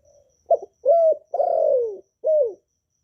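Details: Spotted dove, kept as a cage bird, cooing to stir newly kept doves into song: a phrase of four clean low notes near 500–700, a short opener, a level coo, a long falling slurred coo, then a final falling note.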